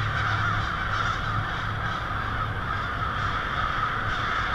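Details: Noisy nighttime roost of a vast flock of American crows in Lansing, Michigan, February 2016; harsh caws pile over one another continuously, with a soft low rumble in the background.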